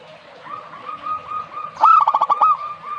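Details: Zebra dove song: a single short cooing phrase of quick staccato pulses that ends in a rolling trill, heard over a faint steady tonal background.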